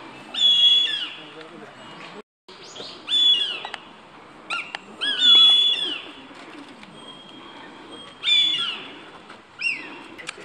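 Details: Northern goshawk fledglings in July 2019, two young fighting over a pigeon kill on a path near woodland: loud, high, drawn-out screaming calls with harsh harmonics, given in bursts every few seconds, with wing or rustling sounds between.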